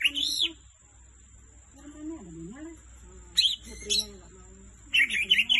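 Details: A greater green leafbird sings three bursts of rich, rapid warbling and whistled notes, a voice murmuring low between phrases, over a steady high electrical whine.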